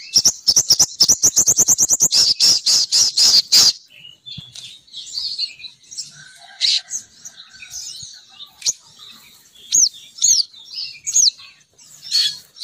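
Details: Female sogon bird lure call meant to bring males down in flocks. A rapid, accelerating series of piercing chips lasts about four seconds, followed by scattered squeaky, twittering and rising whistled notes.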